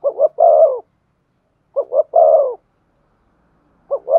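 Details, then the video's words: Spotted dove giving stimulating coos to set another dove calling: crisp double notes each followed by a longer, gently falling coo, repeated about every two seconds against silence. "Chim cu gáy kích bổi nhanh nổi. tiếng cu thúc gù hay"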